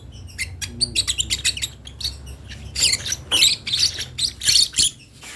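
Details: Lovebird nestling learning to vocalize: rapid thin chirps build into loud, rasping squawk bursts repeated roughly every half second.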